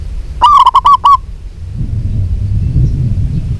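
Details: Female zebra dove of a local strain calling to a male, giving one quick run of about six mellow, clipped coos, followed by low rumbling noise and silence from the bird.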